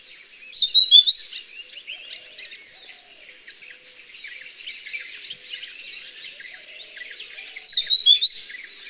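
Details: Wild grey-headed canary-flycatcher (Culicicapa ceylonensis) recorded in nature, giving two short bursts of high, thin, quick twittering notes about seven seconds apart over faint high background chirping.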